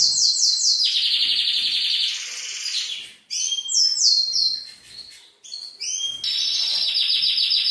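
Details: Male canary song meant to stir a female toward mating. Varied phrases: a high trill slides down into a buzzy lower roll, then short bright whistled bursts and sweeping notes, ending in another sustained high trill.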